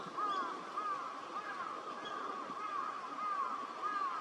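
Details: Northern pintails, wintering ducks in a park at Junsai-ike Ryokuchi, Chiba, Japan, December 2025: many overlapping soft, arched whistles, rising then falling, given in a steady rapid chorus of nearly two notes per second over a constant background hum.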